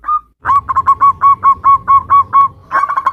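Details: Local zebra dove singing 'nutut' variation, a lure to stir other zebra doves to sing: one soft note, then about nine steady, evenly spaced mellow coos, ending in a quicker bubbling flourish.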